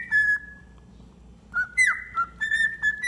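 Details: Pet cockatiel, tame, whistling: a sustained flat whistled note, a pause, then several short, clear whistled notes at slightly varying pitches with a quick downward slide in the middle.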